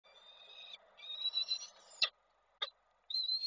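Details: Falcons at a nest in Koszalin, 23 July 2023, as a male meets the female: drawn-out, high, slightly wavering whines broken by short gaps, punctuated by sharp clicks and a brief burst of noise.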